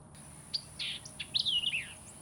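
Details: At Bayou Sauvage National Wildlife Refuge levee, New Orleans, Louisiana, a nearby White-eyed Vireo gives one quick, emphatic phrase of sharp chips and slurred, buzzy notes, lasting under two seconds, over a faint steady high whine.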